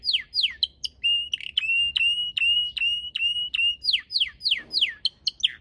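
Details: Singing red canary kept in a garden among blooming purple azaleas. Quick downward slurs lead into a run of long, flat whistled notes broken by clicks, then the falling slurs return.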